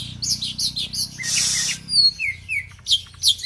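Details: Kept oriental magpie-robin from Aceh singing a varied series of loud, sweet whistled phrases, some sliding down, some rising, broken by a short burst of rushing noise. Faint low hum in the background.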